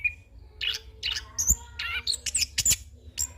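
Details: Rolling, phrase-filled song of a young orange-headed thrush used as a tutor and lure: scratchy bursts and sharp high chips in quick succession, a faint low steady hum beneath.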